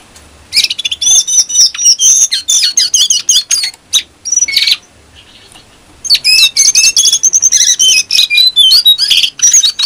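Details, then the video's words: Brown-throated sunbird, a caged bird in Indonesia whose song is played as a training lure for other songbirds: loud, rapid high chirps and thin whistled trills in fast bursts, pausing briefly near the middle before resuming. "Jongkangan gacor"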